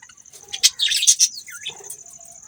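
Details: Budgerigars giving a quick run of loud scratchy chirps, then a few softer falling whistled notes, with a steady high whine throughout.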